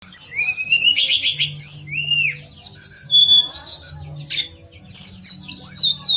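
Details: Pied fantail song used as master material for training contest songbirds: sweet, varied high whistles, rising slurs and rapid chattering trills in quick succession, with a faint low hum underneath.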